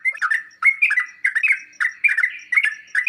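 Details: Sooty-headed bulbul song meant to make other birds reply: dense chattering bursts of slurred whistles with clicky onsets, short phrases coming in quick succession.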